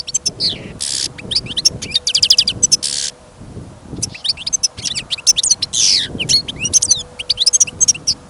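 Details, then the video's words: Confident song of a caged European goldfinch outdoors in wind and newly fallen snow: lively, jangling phrases mixing harsh buzzes, fast trills and liquid twittering, broken by a brief pause midway. "Пение щегла - Голоса птиц. Щегол на прослушивании запел."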